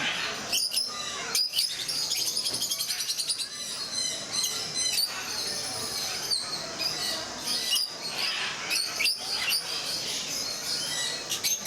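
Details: Group of rosy-faced lovebirds, also called peach-faced lovebirds, at Mysore Zoo, giving dense shrill chirps and squeaks. A rapid buzzy stuttering series runs through the first seconds, then overlapping sharp high notes continue throughout.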